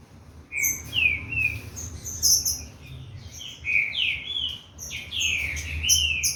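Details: Bred Green-winged saltator, Corvo x Fogueira stock, warming up: clear sliding whistles that rise then fall, delivered in three loose phrases amid quick high-pitched chips and a low hum.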